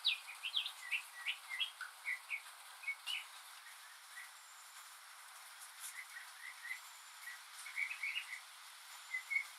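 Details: A lone northern mockingbird sings on a rainy day, mimicking other birds and sounds: a quick burst of varied chirps and short warbled notes, then a quiet gap, then more scratchy chirps. A steady hiss sits beneath.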